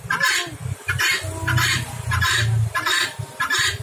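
A female helmeted guineafowl gives harsh, grating two-part calls, repeated roughly every second, over a steady low rumble.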